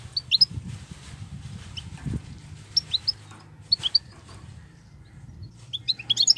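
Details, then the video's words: European goldfinch, wild, in nonstop 'batbatat' singing: scattered groups of sharp, high, downward chirps throughout, closing in a dense flurry of quick notes, with a low rumbling background and a brief thump near the middle. "صوت الحسون البرى:مقنين خلوى ممتاز..بتبتات.. غناء لاينقطع"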